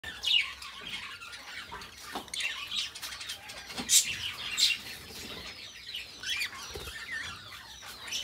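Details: Two pet budgerigars kept together chatter and sing in a continuous warble of rapid, scratchy chirps and squeaks, with sharp clicks and brief bright whistles; faint rustling and wing flutters underneath.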